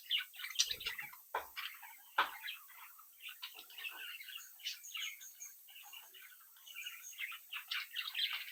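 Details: Budgerigar chicks in captivity, playing and relating to each other, keep up a soft continuous warbling twitter of quick high chirps, with a few sharp clicks near the start.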